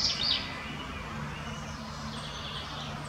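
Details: In Munich Botanical Garden, a spotted flycatcher (Muscicapa striata) gives a couple of thin, very high, sharp call notes, then faint high traces over a steady low hum.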